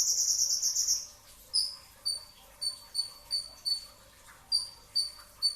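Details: Pre-dawn sahur recording of a brown-throated sunbird: a rapid high trill in the first second, then evenly spaced piercing chip notes, about two every second.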